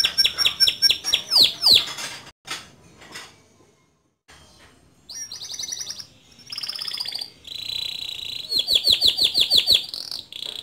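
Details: Male canary singing loudly in the gacor style with rolling trills and sharp high shots, songs suited to tutor young canaries: fast high chirping trills, a brief silent break, then buzzy sustained rolls and repeated rapid notes.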